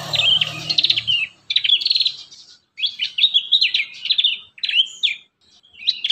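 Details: Prinia song played as a lure for young birds. Quick phrases of high, sharp chirps and rattling notes alternate with brief silences, each phrase ending in a slurred whistle.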